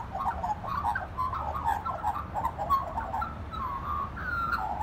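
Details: Magpie song as an unbroken stream of warbling, liquid notes that rise and fall, ending in a longer clear whistled note; low background rumble throughout.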